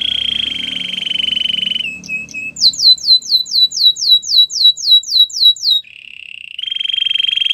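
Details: White canary song opening with a steady buzzing trill, a few short notes, then a crisp run of descending whistles about four per second, closing with another buzzy trill.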